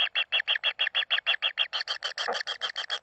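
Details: Common kingfisher nestlings at feeding time: quick regular harsh churring pulses, roughly three per second, growing slightly louder and busier partway through as voices overlap, recorded in a confined space.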